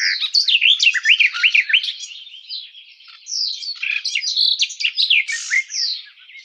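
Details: Lively warble of the garden warbler (Sylvia borin), starting with rapid looping slurred notes, dipping briefly in volume mid-phrase, then resuming with bright, varied phrases.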